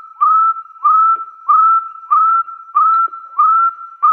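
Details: Hill partridge from the wild calling to challenge a rival: seven evenly spaced rising whistles, roughly one every two-thirds of a second, pure and steady in pitch, in a quiet setting.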